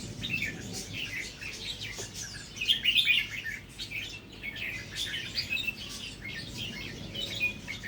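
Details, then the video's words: Red-whiskered bulbul of a natural-line stock, beginning to sing doubled phrases; a bright warbled phrase near the middle stands out over a steady wash of chirping and rustling. "นกกรงหัวจุกสายธรรมชาติ เริ่มมีเบิ้ลให้ได้ฟังบ้างเเล้ว"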